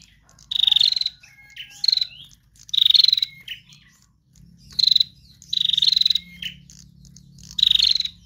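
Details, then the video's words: Female prinia in trotol song, meant to attract other birds: six harsh clicking buzzes spaced roughly a second apart, with short whistled notes between and a faint low hum. "Prenjak Betina Lepas Trotol GACOR Narung Mantap"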